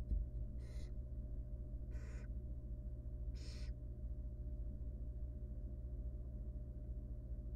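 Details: Begging wild barn owl nestling in a research nest box, fed by its mother as it struggles with a large rodent: three rasping hisses about 1.3 seconds apart, then quiet, with constant low electrical hum beneath.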